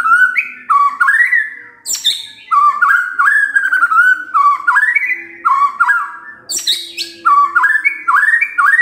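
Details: Morning song of a white-rumped shama meant to prompt silent birds to answer: rich fluting whistles rising and falling, phrased in repeated motifs about once a second, with sharp high accents between.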